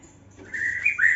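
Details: Young white-rumped shama in an aviary: a brief whistled phrase, a steady note followed by a quick upward flick and a falling slur, loud and clear.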